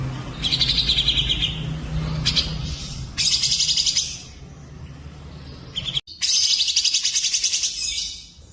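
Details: Recorded tutor song from cucak jenggot, cililin and canary: a run of sweet trilled phrases and buzzy rattles, broken once by a sudden gap, then a long, loud, rapid trill.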